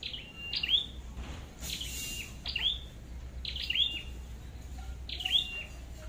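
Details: Red-headed flowerpecker during trapping: four high, thin calls about 1.5 seconds apart, each a sharp downward sweep into a brief flat buzzy tone ending in a bright tick, over faint low background hum.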